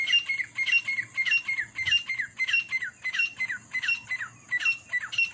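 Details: Fighting partridges: a loud, ringing call note repeated steadily, nearly twice a second, each note a sharp whistled phrase that dips at the end, continuing without pause throughout.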